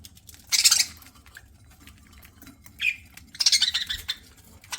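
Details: Pet budgerigar chirping while eating: two loud, harsh, broadband squawking bursts about three seconds apart, with a brief softer note between them, over a quiet indoor background.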